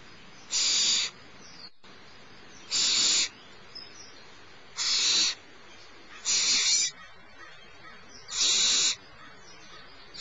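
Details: Youngest barn owl owlet at Starr Ranch, 6 March 2011 around 10:30 in the morning, while its mother feeds it: harsh, breathy hissing screeches of about half a second, repeated roughly every two seconds, five in all.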